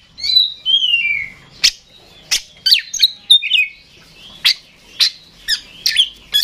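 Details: Oriental magpie-robin (kacer) in continuous gacor song. Opens with descending whistled slurs, then a steady run of sharp, loud notes repeated roughly every half second to one second.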